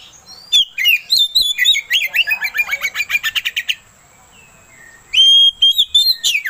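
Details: Oriental magpie-robin song used as a lure to provoke another bird into singing: loud, fast runs of sharp whistled chirps and rapid repeated notes, a pause, then bright clear whistles resuming.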